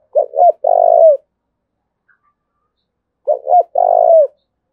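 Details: Spotted dove from Đồng Nai, Vietnam, giving the thúc bổi style of call: two phrases about three seconds apart, each a quick stuttering pair of short coos and then a long, steady, slightly falling coo.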